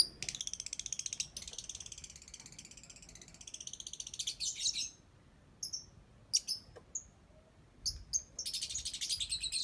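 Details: Pet lovebird doing its ngetik song: a rapid, even run of dry ticking clicks, then a long, buzzy, high-pitched chatter, followed by scattered sharp chirps after a brief pause, and a final burst of ticking.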